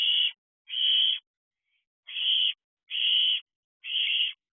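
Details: Young barn owls in an owl box late at night on 29 June 2023, competing for food brought by the mother; five loud rasping hisses, each half a second long, spaced unevenly with pauses between.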